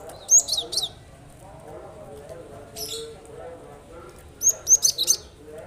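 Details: Cinereous tit singing, offered to stir silent birds into song: bright, high, rapid whistled note clusters at the start and end, separated by a harsh hissing burst, over a low steady hum.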